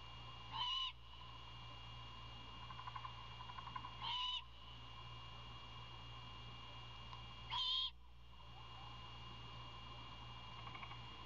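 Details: Begging young owl calling for dinner from its father: three short rasping screeches spaced about three and a half seconds apart, faint ticks between them, continuous low hum behind.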